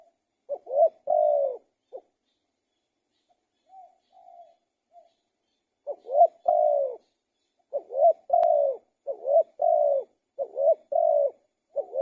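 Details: Spotted dove cooing. One phrase is followed by a pause filled with a few soft low coos. Then come about five loud three-part phrases: short note, rising swell, long even coo. A brief click is heard midway.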